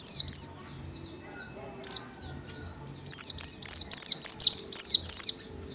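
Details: Pleci or kacamata, the Oriental white-eye, delivering sharp, high, downslurred chirps, first spaced out, then a fast run of about ten notes in close succession.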